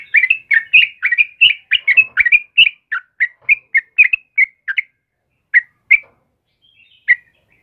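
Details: Morning song of a sooty-headed bulbul, 'kebo' type, singing vigorously: a rapid string of bubbly, downslurred whistled notes that slows and thins out into a few spaced chirps before stopping.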